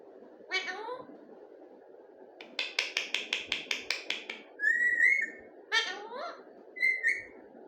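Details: A talking parrot gives a harmonic cry, then a rapid run of about ten sharp clicks, a high wavering whistle, another cry and a final short whistle, with a low hum beneath.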